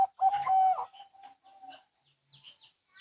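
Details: Zebra dove cooing, local and Bangkok types answering each other: one long, steady low coo, then a few soft, scattered short notes fading into quiet.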